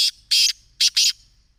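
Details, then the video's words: Black francolin calling, a short series of three harsh, rasping notes: one longer grating note followed after a pause by a quick pair, with no other sounds. "Kala Teetar ki Awaz | Black Frankolin Voice | Kala Teetar ki voice"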